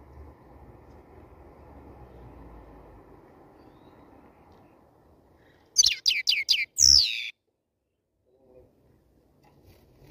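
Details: European goldfinch of the black-headed form, sung after moulting: steady low background hum gives way to a brief burst of five quick high chirps and a slurred, falling buzzy note, then near silence.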